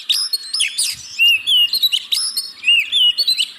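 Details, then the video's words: Oriental magpie-robin lure song for caged birds that are slow to sing: dense, varied chirps and short whistled phrases overlapping with high sharp notes, delivered almost without pause. "Pancingan Burung Kacer Yang Malas Bunyi"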